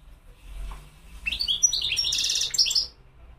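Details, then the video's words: European goldfinch singing a short burst of rapid, twittering high notes with buzzy trills, starting after a quiet moment and ending abruptly; faint low background hum. "تغريد الحسون"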